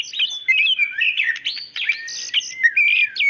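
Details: Female white-rumped shama calling the male, giving a dense run of chirps, slurred whistles and harsh notes in quick succession.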